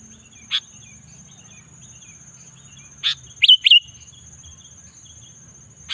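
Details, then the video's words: Sooty-headed bulbul singing in the afternoon, giving isolated bright chirps a few seconds apart and two quick whistled, bending notes in succession midway, over a constant high-pitched ringing tone. "suara burung kutilang"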